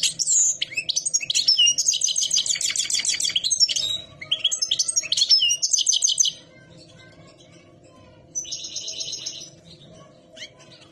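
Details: European goldfinches in lively song, rapid high twitters and chattering trills with buzzy bursts for six seconds, then a quieter gap and a brief burst of rattling twitter.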